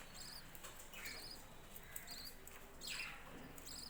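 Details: Budgerigars kept on a home budgie farm, giving soft, short warbled chirps with quick up-and-down pitch that come in irregular bursts about every second, over a steady low background hum.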